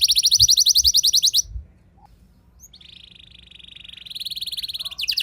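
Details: Rolling canary song used as a lure for other canaries: a fast pulsing high trill, a near-silent pause, then a softer, long, even buzzing roll that swells toward the end.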